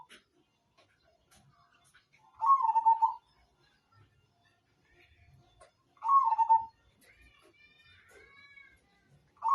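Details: Perkutut, or zebra dove, of the Majapahit type, kept as a master song for training birds, gives two short rolling coos about three and a half seconds apart, with faint other bird notes in between.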